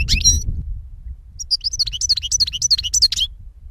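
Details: A 2016 recording of European goldfinch: a short buzzy burst at the start, then a second and a half of quick, bright repeated twitters and whistled slurs over low background noise.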